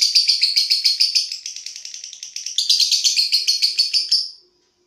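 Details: Lovebird singing at night in the long ngekek chattering style: a steady run of sharp, high, buzzy chirps about four per second, briefly softening midway before a louder second burst, then ending abruptly into silence.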